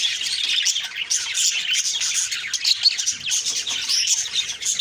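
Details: Morning chorus of budgies recorded October 2, 2023, a steady wash of quick high chirps and warbling twitters layered from many birds at once.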